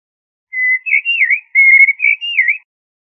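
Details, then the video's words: Pure whistled phrase given twice in succession, a level note followed by a dipping, rounded trill, attributed to a common blackbird, with no other sounds. "تغريد طائر الشحرور جحمومية الزرياب"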